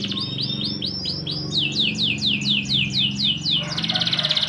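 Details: Canary singing to prompt silent canaries: a clear tour of about six repeated rising-falling whistled notes, then a faster run of sweeping notes, ending in a buzzy rapid rattle.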